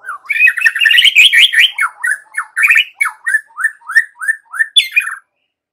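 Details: White-rumped shama song meant as a lure to make young wild-caught shamas sing loudly; an energetic run of chirpy notes, then a steady series of short downslurred whistles repeated about three times a second, ending on a higher note.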